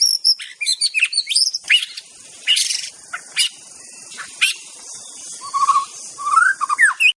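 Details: White-rumped shama, Aceh type, heard in master recordings: an energetic jumble of harsh rasping notes, scratchy bursts and high squeaks with short gaps. It ends with a few looping whistled figures. A faint hiss lies beneath.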